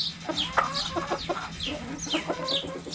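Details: Backyard hens playing with a cabbage: quick, throaty clucks overlapping with bright, high descending chirps in a dense flock chorus.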